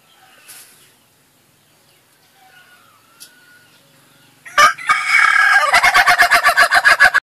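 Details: Faint distant bird whistles and chirps, then an ayam ketawa (laughing chicken) bursts into a loud crow: a harsh rising opening followed by a rapid, regular run of about twelve staccato laughing pulses.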